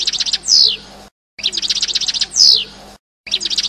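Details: European goldfinch singing passades: rapid high tinkling chirps broken by a loud descending slurred note, the phrase repeated twice with a brief silent cut between.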